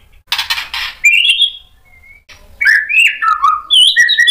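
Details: Shama song used as a lure to make other shamas respond: harsh rasping burst, a buzzy rising whistle, a soft isolated whistle, then a tumbling phrase of slurred descending and rising whistles.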